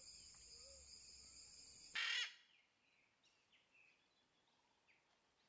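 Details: Blue-throated macaw, critically endangered, at an artificial nest-box programme in Bolivia: one loud, harsh, raucous squawk lasting about a third of a second, after a steady insect drone; faint chirps from small birds follow.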